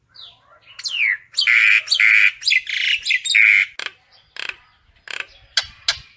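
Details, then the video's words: Common myna calling the flock with loud harsh nasal squawks repeated several times, followed by sparse sharp clicks and short noisy notes. "Tiếng sáo nâu gọi bầy"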